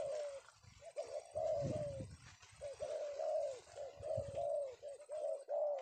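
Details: Male spotted dove caught in the afternoon, giving soft, low, hoarse cooing notes in short clustered phrases, each note slightly rising then falling, repeated steadily through the clip over faint low rumbling background noise.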